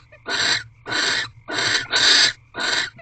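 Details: Barn owls at a nest box on the night of 3 March 2023, 8:45 pm, during a mating ritual; harsh, broadband hissing screeches in about five bursts, each roughly a third of a second, with a faint low hum beneath.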